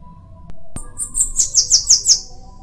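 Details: Bananaquit singing: a thin, very high hissing note, then a quick run of about five sibilant, buzzy notes, each slurring downward, the whole phrase lasting under two seconds; faint low background hum.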